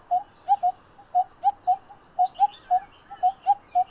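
Coppersmith barbets give hollow, low 'tuk' notes, about fifteen in four seconds, in a slightly uneven beat as two birds overlap. Faint higher chirps from other birds sound behind them.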